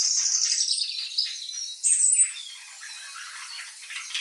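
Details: Pet budgerigars answering unfamiliar bird chirping: a bright whistled warble at first, a sharp high squeal near two seconds, then softer, steady scratchy chatter.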